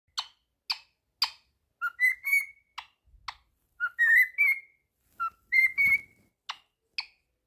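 A cockatiel gives sharp, bright chips mixed with short whistled notes that rise and then hold steady.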